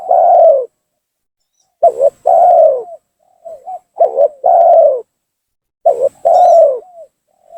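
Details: Spotted dove lure call aimed at angering and attracting a rival: repeated paired coos, a short wavering note then a long low falling coo, with a faint soft cooing between phrases.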